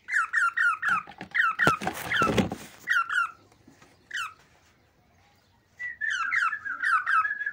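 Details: Male cockatiel singing excitedly to prompt mating: clusters of short chirpy whistles dropping in pitch, interrupted by a loud rustling noise, a quiet gap, then another run of repeated whistles.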